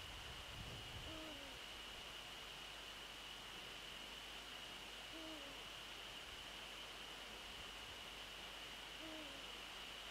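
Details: Evening nest visit by a Eurasian eagle-owl on 27 December 2013: three deep, short hoots spaced about four seconds apart, each falling slightly in pitch, fairly faint against steady hiss and a constant high electronic tone.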